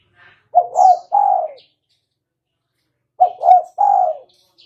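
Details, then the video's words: Spotted dove trapping lure call, two low three-part coo phrases about two and a half seconds apart, short double note then a longer mellow coo, against near silence. "Suara burung tekukur"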